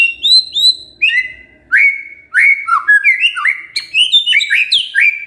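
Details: White-rumped shama song used as a lure to provoke a lazy male into singing: clear whistled notes, then a rich varied run of slurred phrases around the mid-high range, with brief pauses between bursts.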